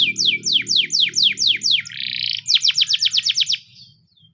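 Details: Russian canary sings a training song: rapid downward-slurred whistles, then a brief buzzy trill, then a tight burst of quicker notes that fades away, with light background rumble.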